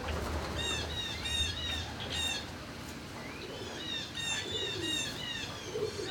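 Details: Turkeys inside a barn on 26 March 2019 around midday: a flock of overlapping high whistled chirps, many rising and falling, with a low rumble of barn noise underneath.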